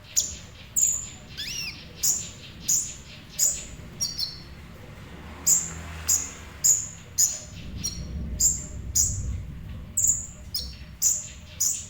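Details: Sunbird, known locally as kolibri ninja, in semi-active singing: sharp, very high thin chips repeated about every half second, with a brief falling whistle early on and faint low background rumble.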